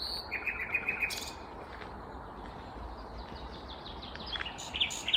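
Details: Unseen vagrant Common Nightingale in song near Uppsala, Sweden, morning of 19 May 2021: a rapid chattering string of short notes opens, followed by scattered high whistled notes against constant low outdoor noise.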